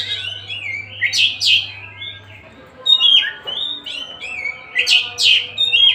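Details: Singing freely, a kacer Tasik (Oriental magpie-robin) gives repeated phrases. Each is a sharp harsh burst followed by a slurred descending whistle, in two clusters separated by a quieter lull. A faint low hum runs in the background.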